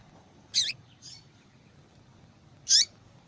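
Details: Female papa-capim giving high calls used to stimulate male song: a loud falling chip, a softer short note, then after a pause another bright downward-sweeping chip.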